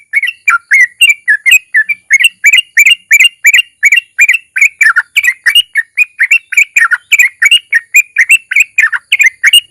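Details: Lure song of a sooty-headed bulbul meant to make other bulbuls sing: a dense, lively stream of bubbly, warbled whistles rising and falling, several notes per second without a break.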